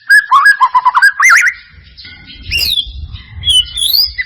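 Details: Lure recording of a white-rumped shama to make it sing: rapid wavering whistled phrases, then sweeping high notes and a long rising whistle, with a soft low rumble behind.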